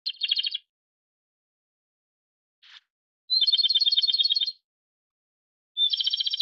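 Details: Japanese robin singing three rapid rattling trills, each a quick run of high, evenly spaced notes, with a brief faint note between the first and second phrase and long silent gaps.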